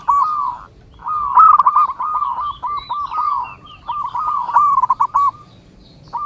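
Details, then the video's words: Zebra dove (perkutut) singing, recorded for training and luring: soft trilled coos strung into rolling phrases with short gaps, ending on a single coo. "SUARA Mp3 Burung Perkutut terbaru melatih, memikat perkutut"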